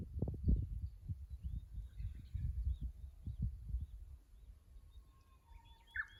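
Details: At a tank road in Kusu, a Japanese bush warbler sings on 25.04.24, caught by a fixed camera: a flat held whistle ends in a sharp rising-falling burst, while strong low-pitched rumbling fades out.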